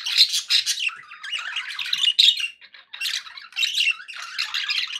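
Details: Pet budgerigars in a happy mood, bursts of raspy warbling and bright chirps separated by brief gaps, including a quiet stretch near two and a half seconds.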